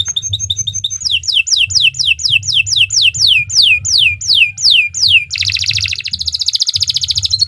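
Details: Canary song for tutoring other birds: a steady series of clear downward-slurred whistles repeated about twice a second, preceded by short high chips and followed by a rich rolling trill, with faint low hum behind.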